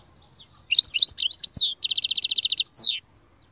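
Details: Canary song: a tumble of varied quick whistled notes, then a fast even trill of about a dozen repeated notes, ending on a single buzzy, drawn-out note.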